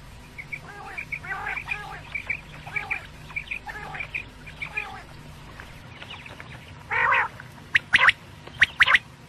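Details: Quail (batair) night sounds, Pakistan quail hunting: faint, soft, buzzy nasal notes repeated about once a second, then one louder harsh note and several sharp, crackling chip bursts.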